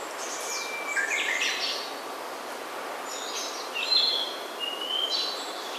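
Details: Songbirds on Ujina Island near the city of Hiroshima, in old-growth forest, give short bright whistled and trilled phrases at intervals against constant rushing environmental noise.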